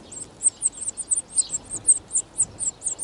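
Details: European serin at a wild nest during spring 2018: insistent, very high, squeaky chirps repeated roughly four times per second in an uneven rhythm, over faint background hiss.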